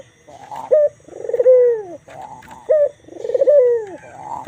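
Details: White Barbary dove with a black collar cooing steadily: a short bright note followed by a long rolling, throbbing coo that slides downward, the pair repeating roughly every two seconds in a quiet setting.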